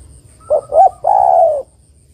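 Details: Spotted dove female calling a male, played to get males calling: a single mellow phrase, two brief coos then one drawn-out coo lasting about half a second, over a faint background hum.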